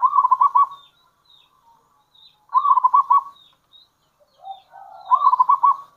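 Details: Local zebra dove with a kerot and bekur call used as a lure for zebra doves. Short rippling coo bursts repeat roughly every 2.5 seconds, with a faint lower warble before the last.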